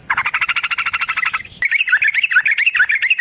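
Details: Yellow-vented bulbul used as a lure to make bulbuls sing: a harsh, buzzy rattle lasting over a second, breaking into quick, jumpy bubbling notes.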